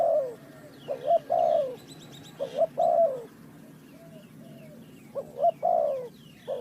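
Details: Dove recorded during bird trapping, giving low, hoarse cooing phrases of a few notes, the last drawn out and falling, repeated about every two seconds, with faint higher chirps from other birds and a steady low background rumble.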